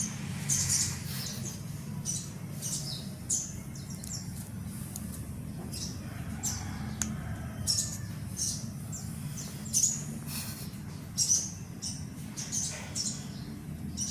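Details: Baby sun conure giving short, high, raspy chirps in irregular bursts, some doubled, over a steady low hum.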